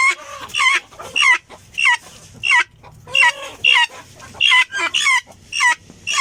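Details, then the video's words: Rasping, staccato calls of a helmeted guineafowl, harsh grating bursts repeated irregularly about every half second to second. A squeaky upturn can be heard in each note, with quiet pauses between. "صوت الحجل الحبشي صوت غريب وعجيب"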